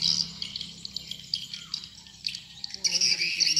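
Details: Swiftlet farming lure sound of the "sp rambut lmb" kind: quick ticking chirps and short buzzes, ending in a dense rasping trill, with a steady low hum in the background.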